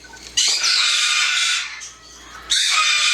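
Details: Pet yellow-naped amazon giving harsh, broadband squawks: one long grating screech lasting about two seconds, a short pause, then another loud rasping burst.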